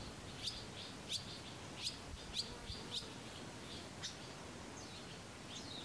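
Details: Barn swallow nestlings in the nest at Kırcaali, Bulgaria: sharp high chirps repeated roughly every half second, then softer thin notes, over steady background hiss.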